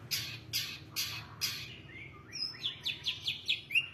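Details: Long-tailed shrike singing a varied rich song: four harsh, scratchy rasping notes about half a second apart, then a fast run of sharp high whistled chips and a rising slurred whistle.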